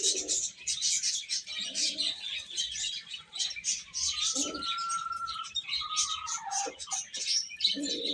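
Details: Chicks chirping during a meal, a dense high peeping chorus with a long level whistled tone lasting about two seconds in the middle and a few lower calls at either end.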